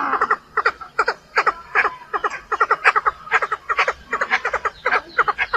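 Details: Chinese francolin giving a decoy call used for trapping: a rapid run of harsh, clipped, chattering notes in short clustered bursts, repeated steadily through the whole recording with no pause, and a faint hum underneath.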